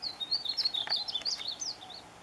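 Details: Painted bunting calling for a mate: a rapid, continuous run of high, sweet twittering notes, slurred up and down without pause.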